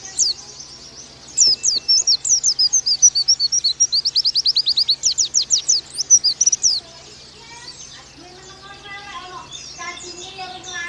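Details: Oriental white-eye tutor song for training birds to sing: dense high, thin whistled chirps in rapid sweeping strokes for about five seconds, then softer, lower scattered twitters and faint background hum.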